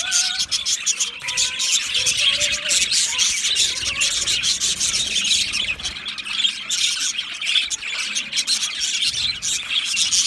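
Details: Budgerigars described as lonely squeal and chirp loudly, calling for contact or in distress. The dense, grating high chatter carries a few soft whistled notes early on.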